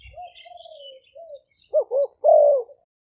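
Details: Decoy spotted dove from Roi Et, Thailand, used for attracting wild doves: soft level coos first, then two short abrupt notes and a loud drawn-out coo that slides slightly downward.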